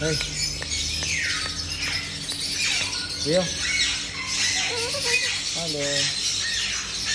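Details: A pet white cockatoo that likes to play and tries to talk makes short, speech-like bursts and a few harsh, rising squawks, with a steady hiss of background noise.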